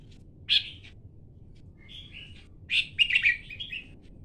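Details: Red-whiskered bulbul: a loud burst of notes near half a second, then a soft short whistle and a lively run of chirpy, warbled notes in the second half, over a quiet low background hum.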